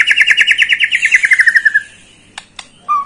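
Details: White-rumped shama song used to provoke a young bird to sing: a rapid run of about twenty notes sliding steadily downward in pitch, followed by a few sharp clicks and a short whistle.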